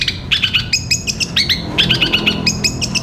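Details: Caged-bird training song of a long-tailed shrike: quick bursts of sharp, chattering notes in clusters about every quarter second, bright and harsh, over a steady low hum.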